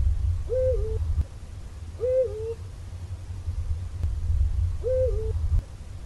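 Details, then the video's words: Eurasian eagle-owl (Bubo bubo) giving three deep, slightly wavering hoots spaced about one to three seconds apart, over a steady low rumble of wind or distant traffic. "Eurasian eagle-owl 1h bird sound"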